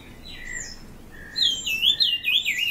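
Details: Brown-cheeked fulvetta at Dongarmatha, Parshuram, Maharashtra, India, in June: soft, high whistled notes, then a louder run of sweet, wavering warbled phrases over a quiet background.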